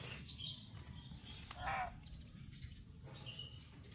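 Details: A pet black-capped lory being bathed gives one harsh, grating squawk lasting under half a second, with a few faint squeaks around it over steady splashing water.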